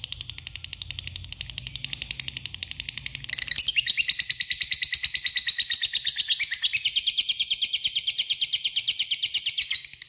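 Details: Lovebird giving a long trill while calling a rival: some scattered high chirps, then from about three seconds a steady, very fast buzzy rattle of high notes that continues to the end.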